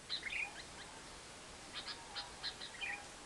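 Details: Lovebird long trill (ngekek), played as a lure to get silent lovebirds singing: sharp high chirps in short bursts, a few clustered at the start, then single notes every third of a second over faint hiss.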